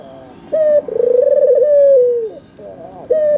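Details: Albino Barbary dove with red eyes calling as a lure for quiet doves: a short high note then a long vibrating coo sliding down, followed by soft notes and another short high note.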